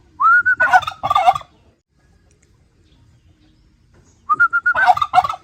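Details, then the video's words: Turkey gobbling twice. Each burst opens with a clear, level whistled note that runs straight into a loud, rattling, rolling gobble. A silent pause of nearly three seconds separates the two. "รวมเสียงไก่งวงร้อง หาฟังยากมาก"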